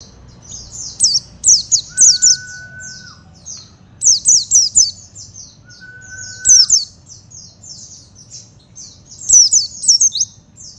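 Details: Oriental white-eye singing: bursts of very high, thin, rapid chirping trills in repeated phrases, interrupted twice by a steady flat electronic-like tone lasting about a second.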